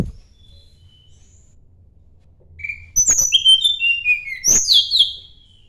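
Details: Sunda blue robin, singing in search of a rival, gives two rapid bursts after a quiet start: high, piercing whistles and descending slurs broken by sharp clicking notes.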